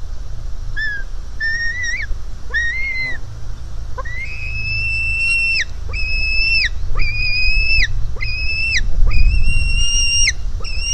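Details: White-tailed eagle chick begging at the nest, 4 July 2018, hungry and jumping at its mother; whistled squeals building from short faint notes into a rapid run of loud, level, long cries, over wind.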